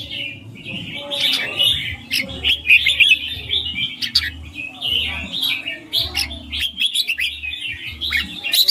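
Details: Extended 'ring' song from a red-whiskered bulbul, made of clear, rapid chirps and twittering warbles in repeated bursts. An on-off low hum plays beneath.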